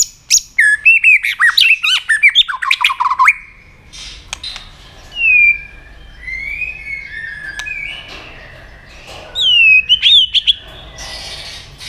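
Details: White-rumped shama stimulated to sing in fight mode: three seconds of dense rapid warbled phrases, then a pause and scattered single slurred whistles and soft clicks with gaps between.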